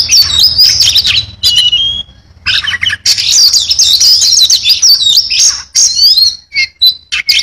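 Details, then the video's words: Oriental magpie-robin in lively song full of fill-in material: fast high warbles, short pauses, scratchy rattling bursts and clear descending whistled notes. "kacer gacor full isian"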